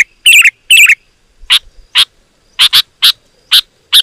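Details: Sooty-headed bulbul song used for luring wild birds: two fluty, warbling phrases, then a slower series of single sharp chirps about every half second.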